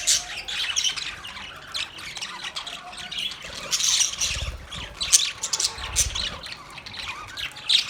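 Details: Harsh, high squawks mixed with rapid twittering from a pet budgerigar, an uneven chatter with louder spikes around five seconds and at the very end, and some low thumps beneath.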